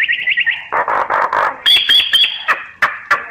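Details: Myna lure call used in bird surveys: a fast warbling trill, then a run of rough grating notes, then clear high whistles mixed with sharp clicks and scattered chacks.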